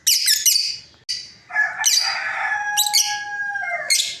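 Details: A breeding pair of lovebirds gives shrill, high chirps, then a long falling whistled note with harmonics that is held for about two seconds before ending in a final burst of sharp chirps.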